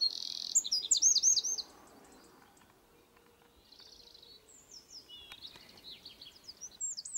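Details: Eurasian wren with a loud opening burst of very high, fast trilled notes, a lull, then more scattered sharp descending notes and chatter.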